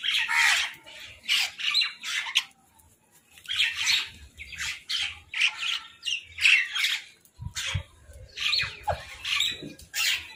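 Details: Crows contesting food while eating, producing a dense series of harsh, scratchy calls in rapid groups, several birds overlapping, with faint low thuds in the background.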